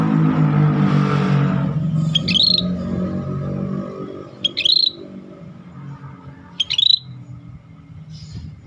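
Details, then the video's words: Scaly-breasted bulbul singing vigorously: three short, bright whistled phrases about two seconds apart, each a quick rising then falling flourish. A low rumble like passing traffic fills the opening seconds. "Suara Burung Cucak Bersisik Gacor Masteran langka"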